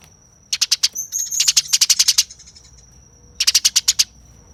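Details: Harsh, speedy chatter of a fighting house sparrow: two long runs of closely spaced sharp chirps, a pause, then a final burst of about six quick notes, with a steady thin high tone behind.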